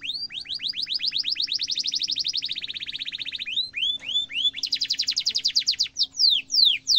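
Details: Long sharp canary roll used as a master song for young canaries: an extended fast trill that rises in pitch, a few swept notes, then a higher, quicker trill and descending notes.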